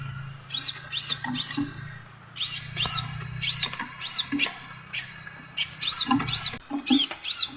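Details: Scarlet sunbird calling: short clusters of sharp, arched high-pitched notes, some doubled, broken by brief gaps, with a low droning hum underneath.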